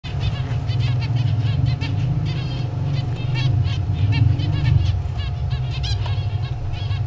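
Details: A family of snow-white zebra finches give short, nasal, high chirps in quick overlapping bursts over a steady low mechanical hum.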